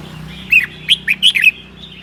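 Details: A red-whiskered bulbul sings 'ché' in cold weather in Sơn La, Vietnam. It gives a short, loud run of five clear, whistled, slurred notes in quick succession over a faint low hum.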